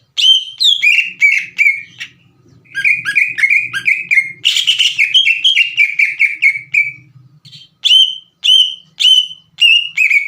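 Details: Vocal green leafbird in lure song meant to make untrained leafbirds sing along: rapid, ringing whistled notes in bursts, one harsher rasping patch in the middle, then spaced, slurred whistles, over a faint low hum.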